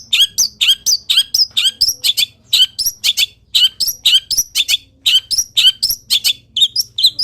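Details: Long-tailed shrike singing a full repertoire of wild-bird imitations while moulting: rapid, slightly uneven chirping phrases repeated about twice a second, with bright slurred whistles throughout.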